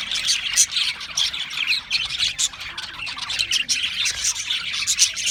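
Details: Australian parrots chirp in a busy flock chorus: high, scratchy twitters and short squeaks overlap, with louder bursts every second or so and a brief dip in volume midway.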